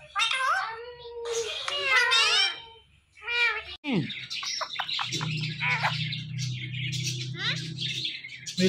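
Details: Talking Indian ringneck parrot: several harmonic, speech-like syllables, then a run of rising and falling chattery notes with scratchy high squeaks over a steady low hum.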